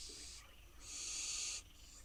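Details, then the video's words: Wild barn owl fledglings waiting for dinner on a nest box in Israel give two breathy, high hissing begging screeches, the second longer and louder. "Barn owl fledglings wait for dinner on their nest box"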